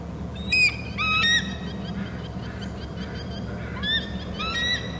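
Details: Two eagles call at a Hornby Island nest, captured on a territory camera: sharp, high, squeaky piping notes in short stuttering clusters, spaced a few seconds apart, over steady wind noise.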